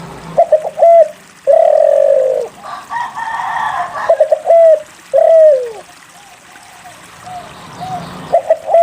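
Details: Spotted dove singing, meant to stir lazy doves into song. Stuttered notes and falling coos are broken up by a longer, rougher sound and some background noise in the middle.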